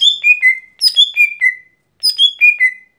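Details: Lesser green leafbird (gotri) in everyday song: three quick phrases, each a run of four loud whistles descending in pitch, the last note drawn out.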